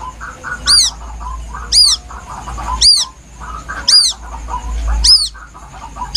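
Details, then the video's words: White-breasted waterhen chick's plaintive calls, used to lure birds: five shrill, high arched peeps spaced about 1.1 seconds apart, with mid-pitched background chatter and a low rumble. "Suara anak burung ruak ruak asli nelangsa"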